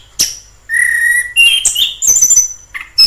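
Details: Wild orange-headed thrush giving a sharp note, then a long level whistle, a rising slurred phrase and high thin whistled notes.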